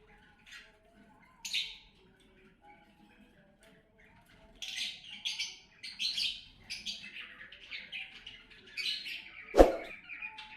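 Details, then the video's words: Cockatiels at breeding time, kept birds: scattered short chirps and squawky notes, sparse at first then denser bursts after the midpoint, with one sharp loud click near the end and a faint low hum beneath. "cockatiel breeding"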